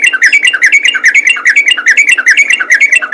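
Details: Ropel gacor song of a yellow-vented bulbul: dense, quick chattering warbles repeated several times a second without pause, with a steady low hum behind.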